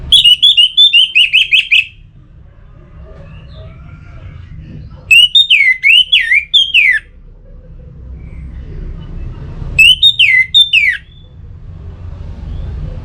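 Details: Song of the Orange-headed thrush, used to stimulate singing: three loud bursts of rapid, varied whistled notes, each lasting one to two seconds. The bursts come about four seconds apart, with quiet hum between them.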